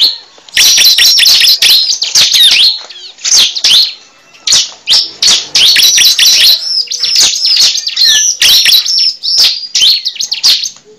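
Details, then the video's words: Bar-winged prinia lure call: loud, high, scratchy chirps in rapid bursts, repeated with short pauses throughout, with nothing else heard. "Pikat suara burung cible"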